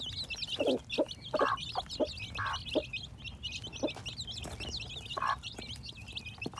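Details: Baby chicks hatching in spring 2021: busy high-pitched peeping throughout, overlaid with repeated low soft clucks from a hen roughly once a second, plus light knocking sounds.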